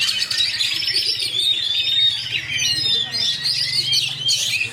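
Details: Kacer, or Oriental magpie-robin, in a rapid rolling song style known as roll speed rapat: unbroken twittering phrases with a long thin whistle running beneath, ending in a brighter burst of notes.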